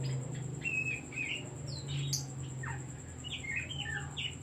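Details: Oriental magpie-robin singing as a provoking lure for other birds: a run of level and descending whistled notes, a sharp high note near two seconds, then clustered sliding whistles, over low hum and a faint high tone.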